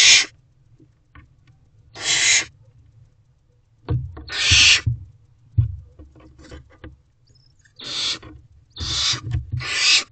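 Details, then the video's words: Hissing from a hungry barn owl chick in a nest box, 4 May 2023, 8:26 pm, waiting for mom and dad to bring food; broad, scratchy hisses at irregular intervals with soft knocks and shuffling between them. "Looking For Mom, Dad to Bring Food, Hissing Dissatisfaction."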